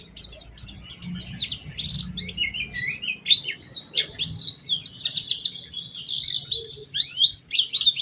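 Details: Oriental white-eye lure song with a prized melodic style, used to draw song from other white-eyes: long, varied high twittering with quick chattered runs and downslurred whistles throughout.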